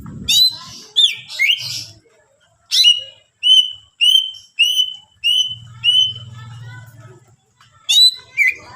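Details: Greater green leafbird in full, rich song meant to lure other leafbirds: a run of loud, clear whistled notes repeated about every half second, opened and closed by sharp downward-sweeping phrases, with a faint low hum beneath.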